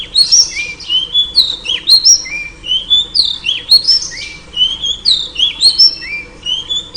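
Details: A female oriental magpie-robin, calling to lure a male, pours out continuous high whistled notes that rise and fall in quick, lively phrases, with an occasional click.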